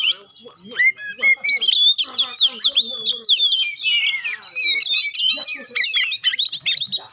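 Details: Magpie-robin song used to provoke a reluctant bird into singing: rich, varied whistles, rapid sweeping notes and trills, loud and continuous with brief pauses.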